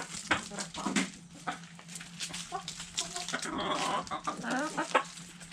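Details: Hens in a backyard flock eating food scraps, uttering brief murmured clucks and a longer wavering call near the end, mixed with crisp pecking taps and background hum.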